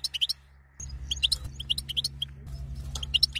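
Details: Female European goldfinch giving batbata calls meant to excite the male to mate: silence, then bursts of short, high twittering chirps in quick clusters over a steady low droning musical tone.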